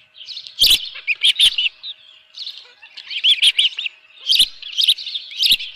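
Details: Osprey at its ranch nest with a live fish on 24 June 2018, 7:32 AM; groups of high, thin whistled chirps in short bursts separated by quieter stretches, with occasional sharp clicks.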